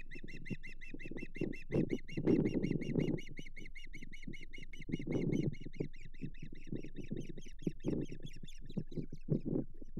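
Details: Hog Island Osprey nest, morning of 7 May 2023, during mating and a fish delivery: an unbroken ten-second stream of rapid, high, ringing chirps above strong low-pitched thuds and rumble.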